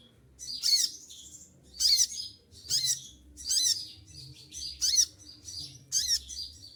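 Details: Caged olive-backed sunbird during moult delivers a string of seven sharp, shrill, high chirped bursts roughly one second apart, each with a brief falling slur below, quiet room hum behind.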